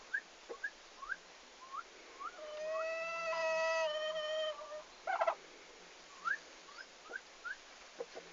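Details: Farm turkeys on the day they arrived, 11 August 2015; quick rising peeps repeated about every half second, broken by a longer rich harmonic call and a brief burst of noise.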